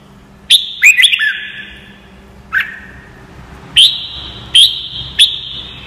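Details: Red-whiskered bulbul song played as training audio for caged birds to learn: short, bright whistled notes in scattered bursts, some with a quick dip, each followed by a long, even ringing tail like an echo, over a low background hum.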